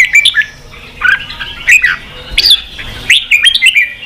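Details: Red-whiskered bulbul, song used to stir newly caught birds to fight and to train singing; short separate whistled phrases of two or three notes, sliding up and down, with quiet gaps between them.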